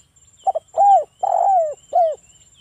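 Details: Spotted dove, locally tekukur, singing a wild forest-style ngalas song used as a lure to make other doves answer: a short double coo, then three longer arched coos, the third the longest, on a quiet background.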